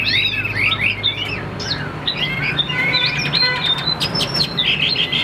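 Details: A calm caged Chinese hwamei, Tam Hoàng type, sings varied whistled phrases: first rolling slurs, then thinner high notes and short sharp chips, over a faint low rumble.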